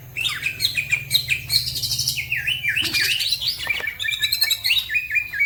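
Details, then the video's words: Energetic green leafbird singing and drawing other birds into song, continuous varied warbling of rising and falling whistles, quick trills and bright chirps with barely a pause. "The green cucak bird makes noise, other birds also become gacor"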